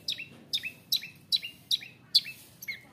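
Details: Long-tailed shrike, a forest-caught bird raised from young, singing to provoke other shrikes into aggression: sharp descending high notes repeated about every half second, each a quick downward slur.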